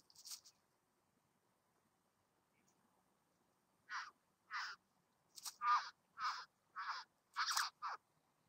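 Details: Satin bowerbird visiting a bower: after a short opening burst and a pause, a series of harsh, rasping, noisy bursts, each about half a second long, repeated irregularly roughly every half to one second, with no other sounds.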